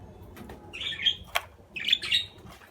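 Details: Budgerigar chirping: two rapid bursts of scratchy, warbled chirps with a sharp click between them, over low room noise.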